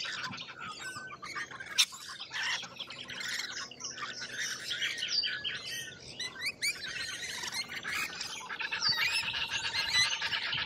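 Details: Lorikeets in Australia calling together, a dense wash of harsh screeching notes and shrill chatter, with a faint steady tone running low underneath toward the end.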